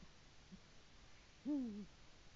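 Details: Single low, slightly descending hoot of a male Eurasian eagle-owl that has come to the nest to call his mate, recorded 22 February 2018 on a nest live stream, faint hiss around it.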